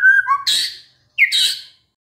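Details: White-rumped shama pancingan, a lure to prompt a stressed shama into song: a brief clear whistle and lower note followed by two harsh, scratchy bursts.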